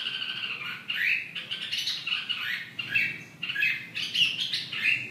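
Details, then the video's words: Red-whiskered bulbul singing: a run of slurred, warbled whistles that rise and fall, with short phrases repeating roughly every second over a low, steady background hum. "Chào mào"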